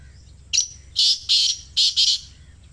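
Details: Black francolin calling, a recording meant to be played to captive birds so they start calling: one sharp introductory note, then four rasping, broadband bursts in two quick pairs.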